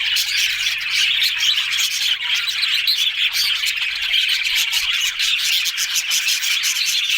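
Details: Dense chorus of budgies twittering and chirping together, rapid scratchy notes and short whistles overlapping continuously with no quiet gaps.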